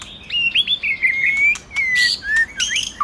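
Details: White-rumped shama song meant to excite a male to sing: a run of rising whistled notes flowing into a long level whistle, followed by harsh bursts and short slurred whistles.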